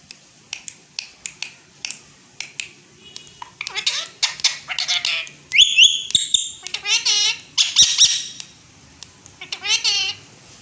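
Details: Indian green ringneck parakeet talking in Urdu/Hindi: a run of sharp clicks, then high-pitched, speech-like phrases with stacked harmonic tones and a shrill whistled note midway, repeated in short bursts, in a quiet indoor setting.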